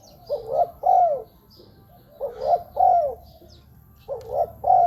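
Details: Decoy cooing of a spotted dove for luring wild doves: three phrases of a brief coo then a longer, descending, slightly rough note, separated by short pauses, with faint high bird chirps in the background.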